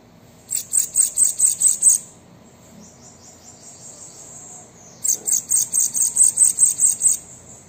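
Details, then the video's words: Song of a bananaquit, used to encourage a captive bird to sing: two strong phrases of fast, evenly pulsed, shrill buzzy notes, each roughly two seconds long, with a faint high hiss between them. "Sibite canto para estimular seu Sibite a cantar"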